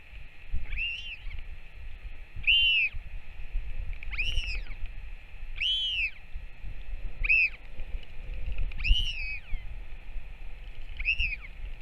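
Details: Northern royal albatross, adult returned to feed its chick, 21 May 2024: seven bright, bowed whistled calls rising and dropping, coming every one to two seconds over continuous rumbling wind.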